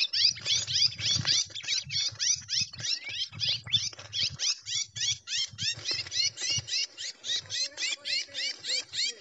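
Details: Red-cowled cardinal singing in the gavião style, called pegada livre: a fast, steady run of high, sharply slurred notes, about three or four each second, over low background rumble.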